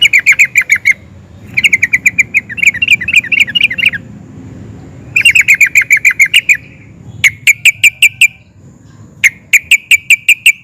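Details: Sooty-headed bulbul in excited song that sets other sooty-headed bulbuls answering: repeated bursts of rapid, bright bubbling notes, some runs warbled and wavering, others crisp separate pips, with brief silent gaps.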